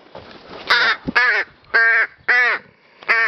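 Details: Rook calling while playing with a feather and a flower: five harsh, rich cawing calls, each about a quarter second long, spaced unevenly across three seconds, with a person coaxing it just before.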